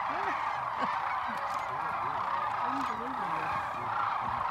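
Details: A large flock of Sandhill Cranes flying in at Whitewater Draw, Arizona, on 19 January 2019, returning around late morning to rest after foraging. Their rolling, trumpeting calls form a dense, continuous, overlapping chorus.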